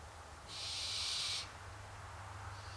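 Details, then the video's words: A single drawn-out, harsh hiss of nearly a second from hungry barn owls begging, bright and noisy, then a faint trailing rasp as the clip ends; low background hum underneath. "Hungry Barn Owls"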